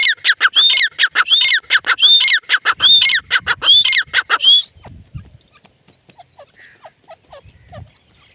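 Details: Grey francolin female giving a rapid series of grating notes with rising whistled tails for four and a half seconds, then falling quiet, leaving faint scattered chirps.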